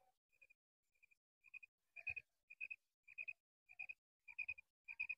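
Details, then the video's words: Female common quail calling steadily: quick clusters of two or three sharp, high notes repeated roughly every half second, growing louder, with a soft low thump mid-sequence. "Female quail sound | madi batair awaz"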